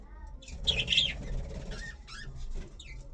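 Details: Pet budgerigars, happy and very active after eating overnight-soaked wheat, chatter in quick, scratchy warbles and chirps over a low background rumble.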